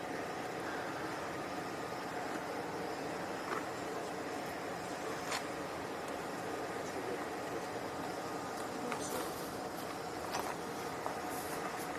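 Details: Steady broadband mechanical rumble like a passing vehicle or ride machinery, with a few faint clicks and rattles and no animal voices.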